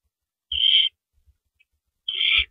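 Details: Owl at a nest on April 4, 2012, around 4:30 AM, while adults bring rabbits to the nest: two harsh, hissing screeches about half a second long, separated by over a second of near silence with faint thumps.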